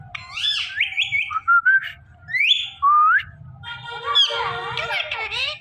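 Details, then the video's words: Pet rose-ringed parakeet, a talking parrot, mixes harsh squawks with rising whistled notes, ending in a burst of loud, raspy chatter over a low background hum. "Talking Parrot Saying Mummy Paapa"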